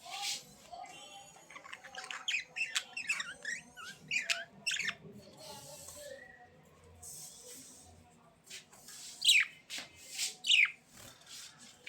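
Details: Budgerigars chattering in a busy, high warble of rapid chirps, quick rising and falling whistles and scratchy notes, running on without pause, with a few louder sharp calls near the end.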